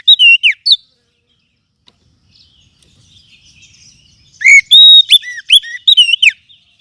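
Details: Forest oriental magpie-robin lure recording for tutoring birds: a brief loud whistled phrase, a long stretch of faint twittering, then a burst of bright, rapid, varied whistles.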